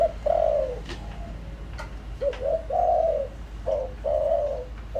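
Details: Lure spotted dove calling for wild doves: mellow, low-pitched coos in paired short-then-long phrases, repeated steadily, with faint clicks and a low hum.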